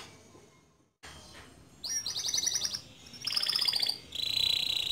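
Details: Softer stretch of a male canary's ngerol nembak song, a master for young canaries: after a short silence, shimmering high trills come in bursts, each held a second or so, over faint background hiss.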